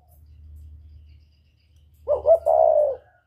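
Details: Spotted dove of the northern type with a whistle voice, a lure bird, delivers two short punchy notes and one long, even coo after a stretch of quiet low hum.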